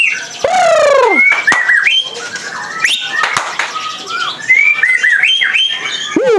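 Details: Young speckled (trotol) white-rumped shama at a bird kiosk in central Jakarta sings loudly in a rich, varied stream of whistles, rising and falling slurs and harsh buzzy notes, with fast changes between phrases; voices faintly behind; its very loud voice is praised.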